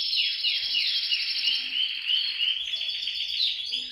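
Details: Canary song played to get canaries singing: quick repeated descending chirps, about three per second, run into fast rolling trills and clear whistled notes at the end.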